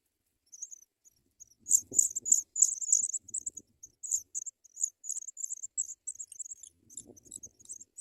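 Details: African pipit babies in the nest start begging as a parent brings white butterflies: sudden loud high chirping bursts, then steadier rapid twitters, with rustling and light knocks of movement at the nest.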